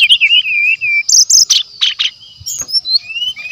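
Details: Brown-chested jungle flycatcher song meant as a lure, described as full of natural sounds: a fluid warbled opening, then bright high notes, buzzy bursts and soft sliding whistles, with a continuous high ringing behind.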